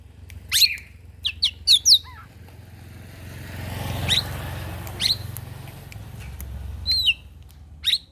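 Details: Oriental magpie-robin singing in the morning to rile rival birds: a quick string of sharp notes and a descending slur, then spaced high chips and a short whistle, while a passing engine drone swells mid-way.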